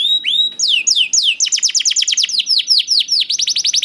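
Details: Young canary song used to draw reluctant canaries into singing: a drawn-out whistle, then fast rolling series of high slurred notes that quicken into a rapid bright trill.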